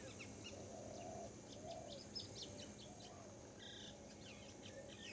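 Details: Grey wagtail, a winter visitor in Assam, recorded behind a residence, gives sharp, high, thin call notes in quick, uneven bursts, over steady low rumbling background noise and a faint low hum.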